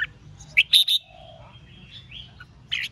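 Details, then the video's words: Red-whiskered bulbul in provocative duel singing: a few sharp, loud whistled notes in a quick triple burst, then a soft drawn-out warble and one final bright note, above faint low hum. "Kích Chào Mào Hót Ché/ Kích chào mào hót đấu hay nhất,bổi nghe là hót theo,khiến bổi ức"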